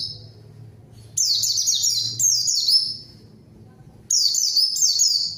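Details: White-eye song as a lure to draw a rival and get a silent bird singing: high, quick chains of sliding, falling notes in three bursts, with a faint low hum between them.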